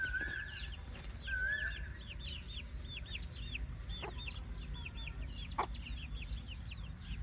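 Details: Baby chicks chirping softly: many short high peeps with hooked, downward-bending notes, overlapping in a steady busy chorus over a constant low rumble.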